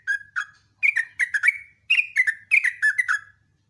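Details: Morning song of a lively sooty-headed bulbul: two soft lead-in notes, then rapid chattering runs of bright, slurred whistles, each group dropping in pitch, in three bursts.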